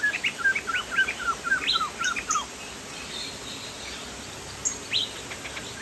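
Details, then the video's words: Lively song of a Sumatran crested laughingthrush: repeated clear whistled notes, each sliding downward, given in a quick even series, then a pause and a few scattered higher whistles, over a constant hiss. "POKSAY JAMBUL GACOR"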